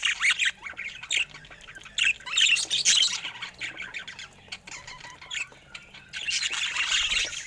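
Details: Pet budgerigars in a colorful group, heard in bursts of chirping and squawky chatter separated by brief quieter gaps, with some soft fluttering sounds.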